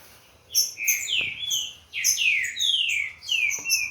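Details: Warming-up song of a bred Green-winged saltator, Corvo x Fogueira lineage: two bursts of rich, downward-sweeping whistles, each about a second long, ringing clearly above faint high chips.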